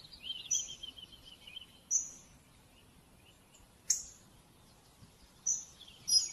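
Hawfinch giving sharp, very high ticking 'tzik' notes every one to two seconds, with a brief thin descending trill near the start.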